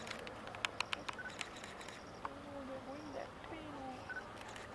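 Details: Greater flamingos, over 6000 migrants fishing in the dry season on Mannar Island, Sri Lanka. A few sharp clicks open, then low wavering honks and gabbling calls overlap in the second half over constant ambient noise.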